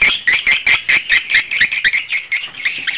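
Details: Swiftlet calls recorded in a swiftlet house for editing into calling sounds: loud, quick, buzzy chirps repeated about five times a second, fading and loosening toward the end.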